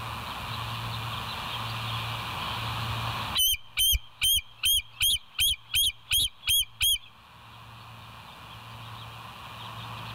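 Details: Bald eagles at the West End nest on a live nest cam, 20 July 2023 at 05:04: a burst of nine loud, high, piping chirps in quick, even succession, then quiet, over a steady low hum and background hiss.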